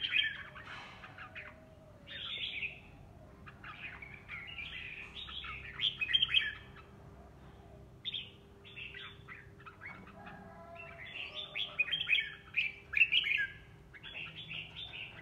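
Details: Decoy red-whiskered bulbul singing long runs of rapid chattering, warbled notes in clustered bursts, with brief quiet gaps and a low steady hum in the background.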